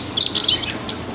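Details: Song of a chestnut-eared bunting met at Oku-Nikko, Japan: a short run of loud, high, chirping notes tumbling quickly downward, followed by a single thin note, with steady low hiss behind.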